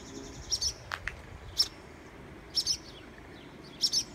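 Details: Barn Swallows nesting on a garage security light with feathered young give sharp, high, clipped alarm notes while dive-bombing people. The notes come mostly in quick pairs about once a second, with one lower chirp early on, on a humid day.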